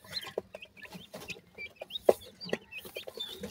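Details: Indian teetar chicks, francolins, giving many short high chirps and upslurred peeps in quick overlapping bursts, with lower soft clucks and scattered sharp clicks and knocks underneath.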